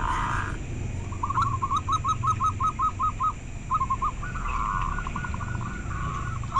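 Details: Local zebra dove (perkutut) giving a run of short, evenly spaced cooing notes, a brief pause, then a faster trilled series. A steady tone opens the recording, over a constant low rumble and a faint high hum.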